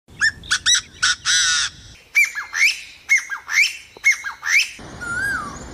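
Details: Forest bird giving harsh, harmonic squawking notes in quick bursts, some long and nasal, others short and rising, repeated about twice a second, ending with a faint sliding whistle over soft background hiss.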